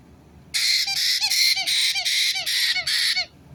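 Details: White-bellied caique parrot recorded on 9 April 2022: a loud grating screech chopped into roughly seven quick harsh bursts across nearly three seconds, each burst ending with a short downward squeak, over a quiet low hum.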